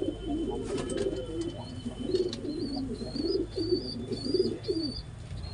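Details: Pigeon in mating, uttering throaty bubbling coos about once a second, with a thin, high chirp from another small bird repeating in between.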